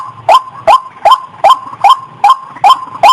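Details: Female white-breasted waterhen in breeding condition, calling before mating: loud, abrupt nasal notes repeated about two and a half times per second in a steady, even rhythm.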